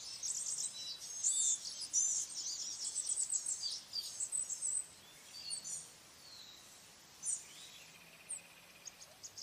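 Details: High, thin, rambling song of a Blue-gray gnatcatcher: dense squeaky chatter for about five seconds, then scattered wheezy notes spaced out and fading, with soft hiss behind.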